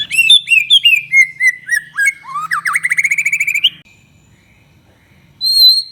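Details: White-rumped shama in full song, played as a lure to spur other shamas to sing: descending whistled slurs, then a rising run of rapid buzzy notes, a pause, and a final clear high whistle.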